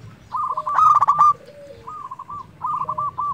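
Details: Zebra dove of local type singing to stimulate lazy birds: a loud stuttering rattle followed by softer rolling coo phrases, accompanied by a lower, falling whistle-like note from another bird.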